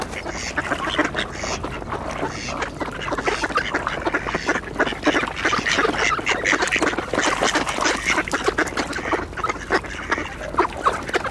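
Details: Mallard ducks in a feeding frenzy at an ice hole among Eurasian coots and two swans, scrambling for bird seed; a dense, continuous chorus of harsh overlapping quacks and splashes, with wingbeats and flock noise throughout.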